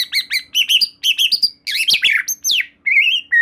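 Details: Murai batu, the white-rumped shama, singing loudly as a lure to trigger another shama: quick paired chirps repeated in short bursts, then rich slurred whistles, a high sweeping note and a final mellow whistle.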